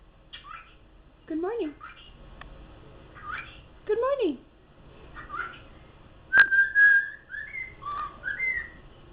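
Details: A pet cockatiel talking and whistling Jingle Bells chatters in mimicked, speech-like phrases, then whistles a run of clear, tuneful notes.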